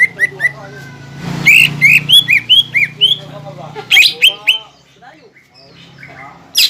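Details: Greater green leafbird lure song to push contest birds into ngentrok fighting: quick chirps, then a burst of looping whistles over low rumbling noise, fading into softer scratchy notes.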